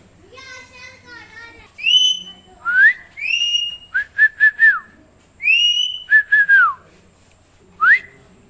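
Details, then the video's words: Pet parrot indoors giving a run of clear whistles: a low buzzy harmonic phrase, then loud rising and falling whistled notes, some short and clipped, others long upswept slides, with quiet pauses between. "Most cute parrot talking video | Funny parrot talking"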